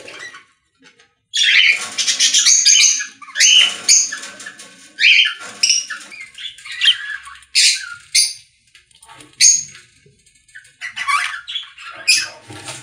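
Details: Group of budgerigars singing in a pet store; after a silent first second, bursts of bright, scratchy chatter and high chirps come in uneven waves, with brief pauses between phrases.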